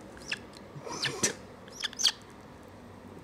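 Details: A young rescued Australasian swamphen (pukeko), orphaned after a car killed its parents and now hand-raised, gives thin, high squeaky peeps in quick bursts, begging for food while a person speaks softly nearby.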